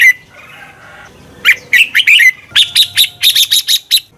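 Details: Red-whiskered bulbul song for stimulating birds to sing in competition: a short slurred whistled phrase followed by a fast run of about ten evenly spaced, high ringing chirps.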